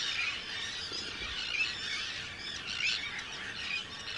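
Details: Arctic terns at their breeding colony on Rottumerplaat, the Netherlands, 4 June 2023, with hundreds of birds: a continuous wash of high, grating cries and squeals from many birds at once.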